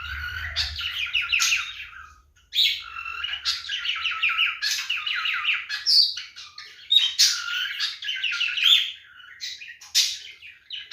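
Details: Male cockatiel singing during mating behaviour, a continuous stream of fast chattering chirps and warbles broken by sharper whistled notes, with a brief pause near the start and a faint low hum early on.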